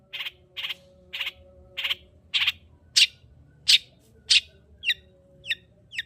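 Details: Long-tailed shrike singing as a lure for shrikes reluctant to sing: steady rasping notes about every 0.6 seconds, growing louder, then turning into thinner, clearer chirps toward the end.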